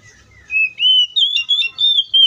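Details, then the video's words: Oriental magpie-robin (Copsychus saucaris) singing in the wild: a run of clear, sweet whistled notes, high and slightly wavering, delivered in short phrases about every third of a second. "COPSYCHUS SAUCARIS BIRD MOST LUXURIOUS SOUNDS"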